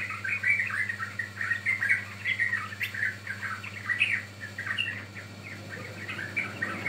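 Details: Lure recording of a sooty-headed bulbul for attracting or training birds: continuous chattering whistled notes, warbling up and down, with a faint steady hum underneath.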